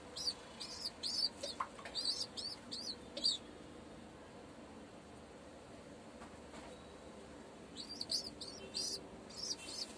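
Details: Homing pigeon chick begging as its mother feeds it, Tamil Nadu, India; thin, high squeaky notes repeated rapidly in bursts for about three seconds, a quiet stretch with soft rustling, then another burst of squeaks.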